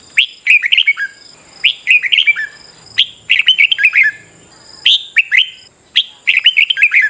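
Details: Red-whiskered bulbul singing competitively in the morning, played to stimulate other birds: about six quick warbling phrases, each a cluster of sharp rising and falling chirps, over a continuous thin high-pitched tone.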